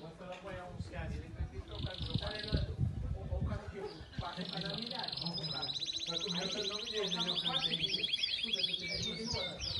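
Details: Yellow domestic Belgian canary singing at a song competition: after a man's speech, a long buzzy high trill of fast repeated notes, then rapid sweeping syllables over steady background chatter.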